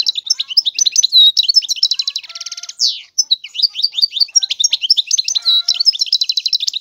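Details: Nonstop high, tinkling song from a European goldfinch: rapid chirps and slurred whistles interlaced with buzzy rattling trills, flowing continuously with hardly a break.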